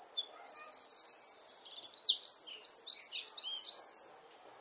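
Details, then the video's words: Eurasian wren sings from a favourite perch in a garden close to its nest: an explosive high song opening with a rapid machine-gun trill, then varied warbled phrases and a run of repeated swooping notes before stopping abruptly. "WREN BIRD SONG"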